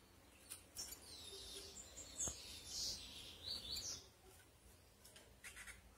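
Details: A female Saffron-billed sparrow calls to excite and attract males, giving thin, high-pitched chirps and short squeaky notes at an irregular pace, about one or two a second, over a faint background hiss.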